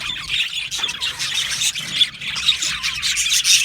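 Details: Budgerigars in an aviary colony, chattering in a dense flock: squeaky, high chirps and short squawks overlapping continuously, with sharper bursts near the middle and end.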